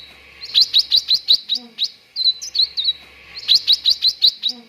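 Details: Cucak ranting singing, used as training material for contest birds: rapid runs of clipped, high whistled notes about three per second, in two bursts separated by softer scattered chirps.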